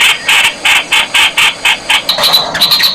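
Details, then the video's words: Streak-eared Bulbul, called nok khot in Thai, uttering a regular string of raspy, clipped notes at a steady pace, followed by thinner, higher whistled notes toward the end. "เสียงนกปรอดสวน "นกขอด" Streak-eared Bulbul sound"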